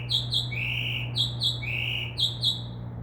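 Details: Northern mockingbird outside a window, mimicking other sounds in its song; paired bright chips alternate with a longer rising-falling whistle, the pattern given twice, above a steady low electrical-sounding hum.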